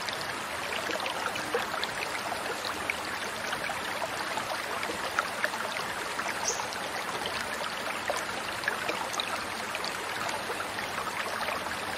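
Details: Steady rushing and trickling of flowing water, like a small stream, with no animal calls standing out.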